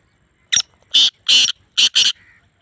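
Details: Black francolin in Sindh, Pakistan; five loud, harsh, grating bursts, a short one followed by longer rasping notes and a final pair, in otherwise quiet surroundings.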